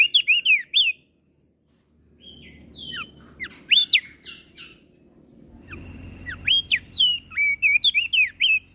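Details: Crested white-eye from Flores singing energetically to provoke other birds: bursts of loud, sweeping whistled notes that rise and fall in quick series, a pause, then renewed whistles over a steady high tone and low background hum.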